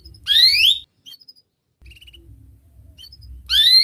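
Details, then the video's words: Canary song used as a lure for young canaries learning to sing: two loud, bright rising whistled sweeps, one at the start and one at the end, separated by a near-silent gap with a few faint short notes. "Kenari Gacor speed Rapat WIT Wit Tajam Cuit cuit ngeroL, pancingan kenari PAUD BELAJAR BUNYI"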